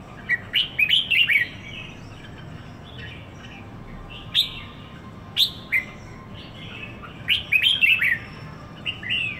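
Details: Caged red-whiskered bulbul in Singapore, one week after arrival, delivering repeated short phrases of sweet, slurred whistles, several notes at a time, separated by brief pauses, against a low steady hum.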